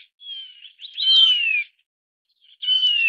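A Taiwan barwing gives clear, high whistled notes that slide gently downward, in two phrases about a second apart; no other sounds intrude.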